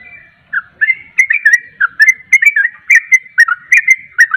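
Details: A caged yellow-vented bulbul sings fast 'ropel' song as a lure for a bird that rarely sings: after a brief pause, bubbly down-slurred whistles tumble in a quick, uneven chatter.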